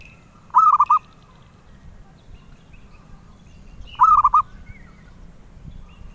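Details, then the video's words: Two mellow, trilling coo phrases from a zebra dove valued by collectors for its sweet voice, each of four or five joined notes, about three and a half seconds apart, with faint higher notes nearby. "Suara Merdu Burung Perkutut"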